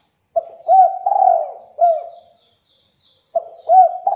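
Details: Cooing of a spotted dove, used to draw replies from other doves: one full phrase of soft, hollow coos ending in a falling note, followed after a pause by the start of the next phrase.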